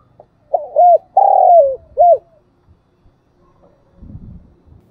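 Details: Decoy spotted dove's 'gáy gọi' calling song for training decoys and attracting wild birds: one clear phrase of short arched coo, long lowering coo and short arched coo, then a low rumbling noise.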